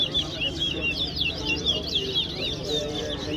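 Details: Competing towa-towa seed finch at Guyana National Stadium pours out a long, energetic song of rising and falling whistled notes and rapid twitters, steady throughout, with low crowd-like rumble underneath.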